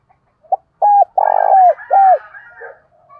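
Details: Spotted dove used as a lure bird to provoke rivals into calling: a clipped cooing phrase of short notes and one longer purring coo, each ending in a falling slur, with faint higher chirps behind.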